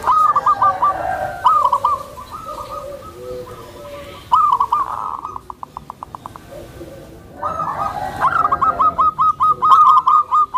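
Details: A gentle tame zebra dove kept to lure other zebra doves and to help new birds adjust. It gives short phrases of rapid high coos, a soft lull with faint rapid ticking, then a long, fast run of crisp notes.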